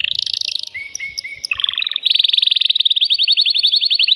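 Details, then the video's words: Excited male canary singing to stimulate a female before mating: a high buzzy roll, lower whistled notes, a brief rattle, then a long fast trill of sharp repeated notes. "تغريد ذكر كناري هائج يريد تكسير القفص يحفز الأنثي لتزاوج"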